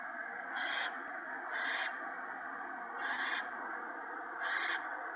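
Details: Owl at a nest on 28 March 2017 in the evening, where an adult shredded a gopher for the owlets; four short harsh hissing bursts, roughly one a second, over a steady low hum.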